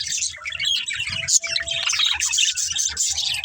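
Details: Pet budgerigars in a family group chirping while playing: dense, bright, high twittering chatter with quick overlapping chirps and short squawky notes, steady throughout, plus a faint low hum beneath.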